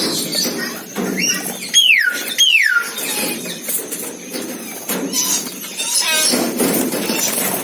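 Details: Asian glossy starling (Aplonis panayensis), locally cucak keling or perling kumbang, singing busily: two loud clear whistles sliding down in pitch, then scratchy, buzzy chatter, clicks and short rising notes filling the rest.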